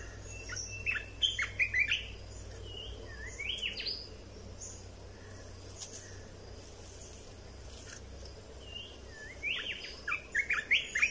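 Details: Red-whiskered bulbul song played to train young birds: scattered short rising whistles and chirps in separate bursts, with a quieter stretch in between and low steady hum.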